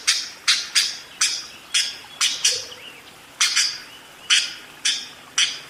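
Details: Budgerigar giving ngerol song as spaced single harsh chirps, each a sharp, high, buzzy note about every half second.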